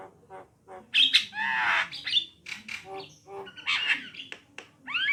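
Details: Javan myna pair, female and male, singing with harsh grating squawks, short clicks and nasal notes, ending in quick upslurred whistles.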